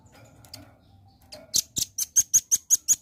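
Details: Velvet-fronted nuthatch used as a lure to draw birds into responding quickly: after a few faint notes, a fast run of about nine sharp, very high, dry chips follows, evenly spaced and loud, with a low background hum.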